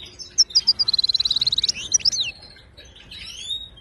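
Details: Moroccan European goldfinch song, used to teach caged goldfinches to sing: high tinkling notes lead into a fast, even buzzy trill of about twenty pulses, then twittering slurred whistles, all loud and close.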